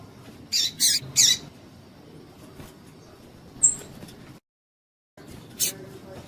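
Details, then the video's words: Female double-collared seedeater calling to excite males: three harsh, high chip notes in quick succession, then a thin whistled note, a brief dropout and one more chip, over a low background hum. "PIADO DE FÊMEA DE PAPA CAPIM PARA DEIXAR SEU PAPA-CAPIM DOIDO"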